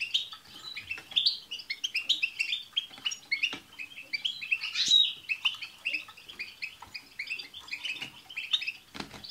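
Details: Continuous group song of European goldfinches, used to prompt a pet goldfinch to sing, full of overlapping tinkling chirps, chattering trills and occasional high thin notes, with faint knocks.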